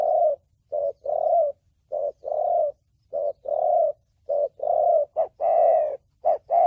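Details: Spotted dove in the thổ bầu voice, for luring, trapping and training decoy birds: throaty coos paired as a clipped note then a longer held one, repeated rhythmically, with a faint low rumble beneath.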